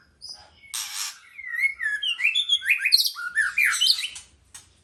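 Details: White-rumped shama song opens with a harsh scratchy note, then flows into melodious whistled phrases, slurred upward and downward, growing busier and more varied before fading out.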